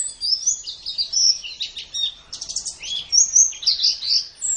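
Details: White-eye master song for training: high, warbling chirps and slurred whistles run together, with a brief buzzy burst midway and bright twittering toward the end.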